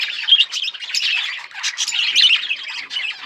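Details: February 18, 2024: a group of budgies gives quick, bright, grating chirps and warbled notes that run together in a steady, lively chatter.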